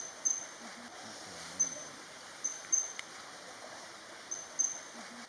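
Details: Male Blue-banded Kingfisher of a pair excavating a nest burrow in Kaeng Krachan National Park, Thailand, giving short, piercing, very high notes, singly or in quick pairs every second or two, over a steady rush of stream water.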